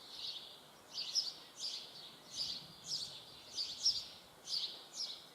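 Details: Begging young common kestrel: high, wheezy, hoarse calls repeated roughly every 0.7 seconds, each a short rasping burst over a steady background hiss.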